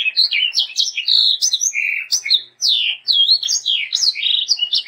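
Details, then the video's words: Sanger bird in steady song as a master for young birds: continuous, varied whistled phrases with quick up-and-down slurs and brief dips, hardly pausing. "BURUNG sanger gacor untuk masteran dan pancingan sanger muda"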